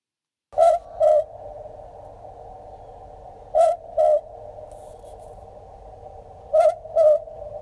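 Australian Boobook giving its mellow two-note 'boo-book' hoot, the second note slightly lower, repeated about every three seconds over a steady background hum.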